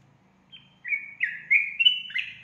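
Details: Sooty-headed bulbul lure song meant to provoke other bulbuls. After a faint opening note comes a sequence of fluty whistles stepping up and down, each slightly slurred, with a soft low hum underneath.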